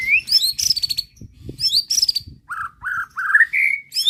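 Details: White-rumped shama provoked by a bait recording shows its fill-in repertoire: high, sweeping squeaky whistles, then a series of four mellow slurred whistles that step upward in pitch.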